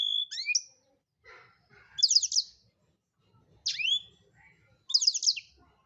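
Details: Blackthroat, singing gacor, delivers short separate bursts of sharp high twittering sweeps about once a second, with brief quiet gaps and faint softer chatter between them.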